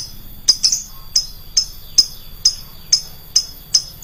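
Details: Lovebird with a loud, shrill voice, recorded as a lure sound for other lovebirds. Sharp, high piercing chirps repeat about every half second over a low, rumbling background hum.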